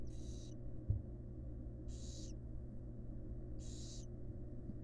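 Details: Wild barn owls at a monitored nest box, a female feeding her fledglings: three harsh, breathy hissing bursts about half a second long, spaced almost two seconds apart, over a steady low electrical hum.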